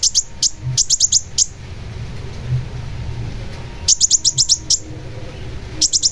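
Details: Long-tailed shrike delivering three bursts of fast, sharp repeated high chips, each about half a second long, separated by quieter pauses.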